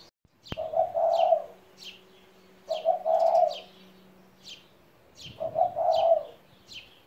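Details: A seventeen-year-old pet spotted dove gives three low rolling coos spaced about two and a half seconds apart, after a sharp click at the start. Faint, high, repeated chirps from other birds run throughout.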